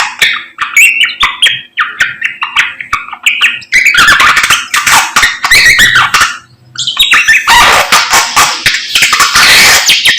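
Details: Vigorous morning singing by a samyong bird, a rapid mix of short chirps, scratchy chatter and loud rasping phrases building into a dense, noisy stream.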